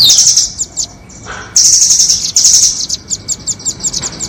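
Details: Doraemon and red-billed nuthatch calls played to lure birds: an opening shrill trill, a short lull, then two sustained high chattering rattles followed by a fast series of about ten sharp, evenly spaced chips.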